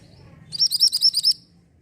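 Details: Orange mantenan bird singing as a tutor recording for white-rumped shama: a rapid, even series of about seven bright, high arched notes, preceded by a faint thin note.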